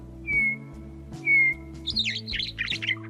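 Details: A catbird gives two clear, slightly falling whistles, then a quick jumble of varied, scratchy warbled phrases, over soft background music. This individual was noted for fine imitations of other species, such as Sora rail and Wilson's snipe.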